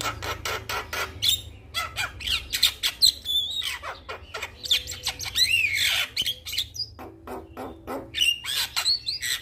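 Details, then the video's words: A male Javan myna calls to a female with a busy mix of harsh squawks, clicks and chattering notes, interspersed with short whistled slurs, continuous and uneven throughout. "Jalak Kebo Jantan gacor Memanggil Betina"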